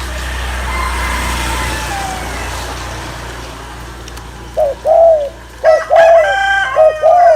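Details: Passing vehicle rumble fills the first half, then a spotted dove's gù cooing for exciting males begins: soft short notes each followed by a drawn-out low hum.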